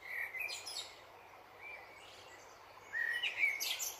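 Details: Dipper giving sharp, high chirps and a short warbled burst, loudest at the opening and again after three seconds, against a constant background rush of stream water.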